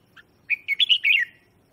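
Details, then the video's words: One brief, rich phrase from a red-whiskered bulbul lure bird calling wild birds, a quick run of bright slurred whistled notes falling slightly at the end, preceded by a tiny chip. "Tiếng chào mào mồi hót gọi bổi má trắng, kích bổi sổ bọng hót căng lửa"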